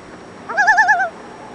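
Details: A common loon, recorded from a kayak, gives a single wavering, quavering call, a mid-pitched tone warbling rapidly for about half a second with a far-off echo, over quiet background hiss.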